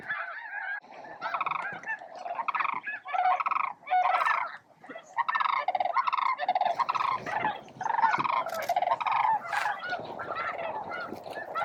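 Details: Noisy crowd of snow geese, with scattered Ross's geese, competing for space while feeding at Bosque del Apache near noon; continuous, layered honking with barely a pause across the whole stretch.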